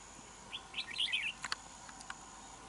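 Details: A red-whiskered bulbul gives one brief, bubbling, warbled phrase of quick rising and falling notes, then a few sharp clicks over a faint steady high hiss. Recorded during decoy trapping of a wild bulbul, which flew off.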